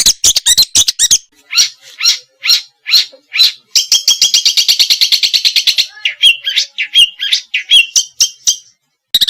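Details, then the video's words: Small birds singing rough, busy song used as tutor material to provoke a white-rumped shama into singing; rapid high chirps and sharp notes, a long buzzy rattling trill midway, then scattered whistled and twittering phrases. "masteran burung kecil agar murai batu gacor"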